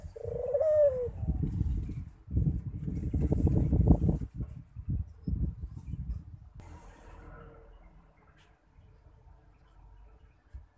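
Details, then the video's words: A Barbary dove calling persistently gives deep, rolling coos in quick bursts for several seconds before they trail off; a brief, higher whistle sounds near the start. "Suara Burung Puter Rajin Berbunyi"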